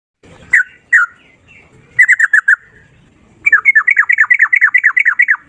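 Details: Sooty-headed bulbul singing energetically in a long single-breath rapid 'ropel' style: a few separate slurred notes, a short burst of four quick notes, then a long fast run of rolling, bubbly notes near the end.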